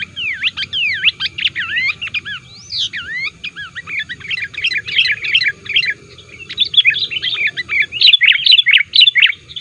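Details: Sooty-headed bulbul lure call, active and challenging rivals: opens with sweeping whistled slurs, then fast dense chattering of chirps at about four notes per second, building to a busy finish.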